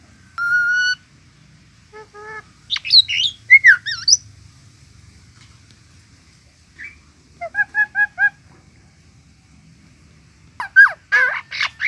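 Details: Myna singing a varied phrase of clear whistled notes, short harmonic chirps and sliding squeaky notes in bursts separated by pauses, with a fast run of repeated notes near the end; otherwise quiet.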